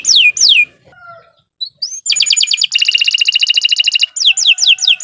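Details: Canary singing, recorded as a master to train captive birds: descending whistled sweeps, a short pause with faint low tones, then a fast rattling trill of repeated high notes and more falling sweeps.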